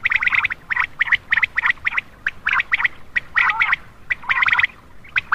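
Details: Night-time common quail call meant to draw in males: quick clusters of sharp, liquid notes repeated a little more than once per second, irregularly spaced, against a quiet background.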